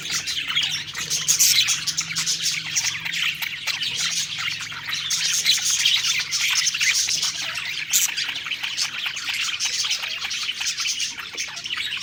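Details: A group of budgies, singing happily during a meal, keeps up an unbroken, busy wall of high twittering, squeaks and short warbled phrases, loudness rising and falling slightly throughout.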